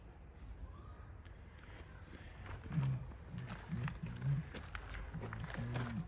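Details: A captive southern helmeted curassow at Lotherton Wildlife World, filmed 23 July 2021, gives deep, humming booms, about six low pulses in quick succession after a quiet start, over faint background rustle.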